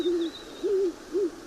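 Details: A Great Horned Owl pair, probably male and female, calls back and forth at night in a duet, trading deep, soft hoots of three low, smooth notes in quick succession, one bird higher pitched than the other.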